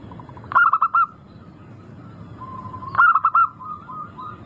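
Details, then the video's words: Zebra dove of a local strain used as a lure to trigger singing: two bursts of several rapid purring coos about two and a half seconds apart, with a soft long coo before the second. "Pancingan burung perkutut lokal Suara merdu kristal sangat ampuh bikin cepat bunyi langsung gacor"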